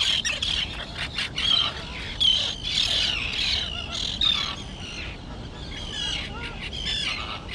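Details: Young terns that have just learned to fly, on a grassy island colony; a steady chorus of shrill, grating calls from many birds, some louder notes standing out near the start and middle.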